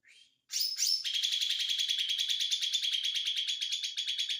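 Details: Green white-eye in 'konslet' song style: a short high note and quick sweeping whistles open into a long, fast, shrill chattering trill of closely packed repeated notes.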